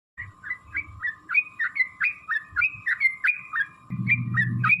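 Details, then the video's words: Sooty-headed bulbul singing a long 'ropel' series used as a lure to provoke other bulbuls into answering: short bright chirped notes repeated about every third of a second, rising and falling slightly, over a steady thin background tone and faint low rumble. "trucukan gacor TARUNG ROPEL PANJANG pancingan trucukan agar bunyi jadikan burung trucuk gacor EMOSI"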